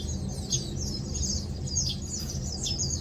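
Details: Short bright chirps and high downward-sliding notes from Lowland white-eyes resting and preening, scattered across a loud low rumbling background.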